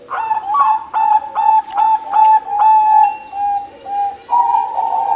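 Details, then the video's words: Bangkok-type perkutut zebra dove from Java in a loud, active song: repeated pulsed coos about twice per second, then level sustained whistles, with a second softer cooing voice behind. "Merdu Suara Besar perkutut bangkok gacor"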